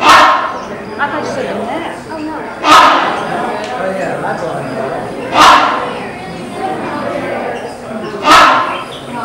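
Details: A rhinoceros hornbill at the Cincinnati Zoo gives four loud, bark-like honks, each roughly three seconds apart, over a steady murmur of indoor crowd chatter.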